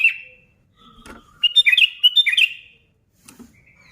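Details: Sooty-headed bulbul song for provoking other bulbuls to sing: a lone bright note, a pause, then a quick burst of bouncing chattering notes and a soft closing whistle.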